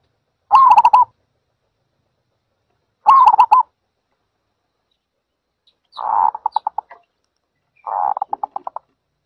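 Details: Four bursts from a zebra dove. The first two are quick, rolling coo trills. The last two are slightly softer and more clipped, made of separate staccato pulses, and come about two seconds apart.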